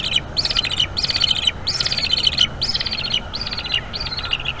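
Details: Eaglet of a bald eagle pair at a North East Florida nest, talking a lot as its mother feeds it on an evening in May 2021; rapid, high chittering phrases repeated about every half second, with faint low rumble.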